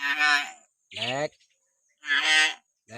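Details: Common hill myna sounds meant to provoke pet mynas to sing: loud harsh squawking calls in rich harmonic bursts, alternating with a lower nasal note, roughly every second.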